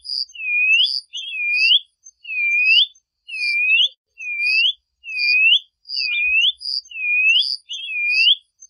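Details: Plumbeous seedeater singing a clean, noise-free song of pure whistles, each swooping down and up in a U-shaped slur, given about once a second in a steady series of nine phrases.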